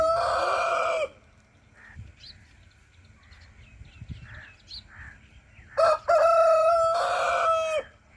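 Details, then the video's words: Rooster crowing: the tail of one loud, harsh crow opens, followed by several seconds of soft, scattered clucks, then a second full crow stuttering briefly before stretching out about two seconds and stopping abruptly. "Rooster crowing"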